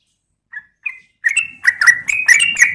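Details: Female yellow-vented bulbul calling to a male: two short, soft whistled notes, then a quick bubbly run of liquid, slightly rising whistles in the mid-high range.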